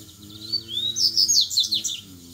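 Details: Wild double-collared seedeater singing a grego-style song in a contest with rivals: a rising high whistle sliding upward, then a quick loud burst of sharp twittering notes that drops at the end, over a steady low background hum.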